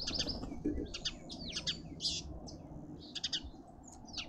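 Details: At a feeder in a suburban garden in Pretoria, South Africa, feasting red-winged starlings trade quick, high chirps and slurred whistles in a busy overlapping chatter over a low background rumble.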